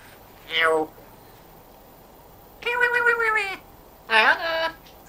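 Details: Talking African grey parrot that speaks with a Yorkshire accent, at home: three drawn-out harmonic, voice-like cries, the first falling, the second long and steady, the last rising then wavering, somewhat like a cat's meow.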